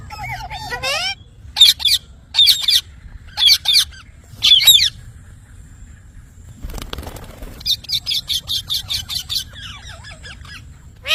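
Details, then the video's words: Parrot giving harsh, buzzy squawks in short bursts, several widely spaced at first, then a rapid run of about ten clipped notes near the end, with a few lower whistled calls and a brief rustling noise in between. "parrot natural sound mithu"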